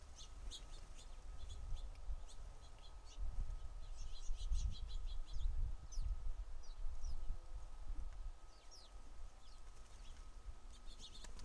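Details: House sparrows gathered in great numbers at a feeder give scattered short, sharp chirps, some in quick clusters, with some rising notes, over a low rumbling background.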